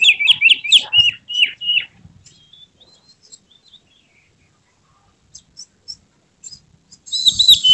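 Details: White-rumped shama in emotional display, tail spread, opening with a rapid series of repeated whistled downslurred notes, then quiet faint notes, and a final buzzy high warble.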